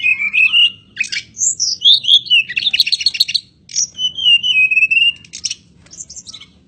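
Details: Mountain robin (Petroica bivittata), singing actively, gives a lively, varied phrase of high whistles, falling slurs and rapid buzzy trills one after another over a faint low hum.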